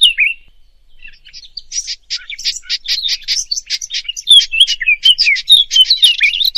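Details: European robin singing a fast, varied, high twittering song of short warbled and trilled notes, with phrases running almost without pause and growing louder toward the end.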